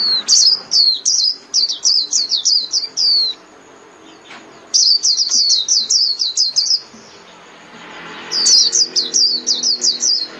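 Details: Japanese white-eye singing to gather its flock, three bright phrases of rapid, high, down-slurred twittering notes, each about two to three seconds long, separated by short silences.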